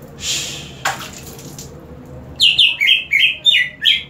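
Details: Green leafbird kept in a cage, sprayed with water and singing more: a splash of water, then a fast run of six bright whistled, slightly falling notes, each under half a second.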